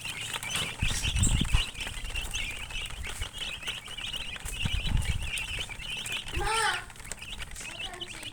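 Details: A flock of colored chickens keeps up steady high-pitched chirping, with low bumps and knocks, and one louder, lower cluck-like call breaking through near the end.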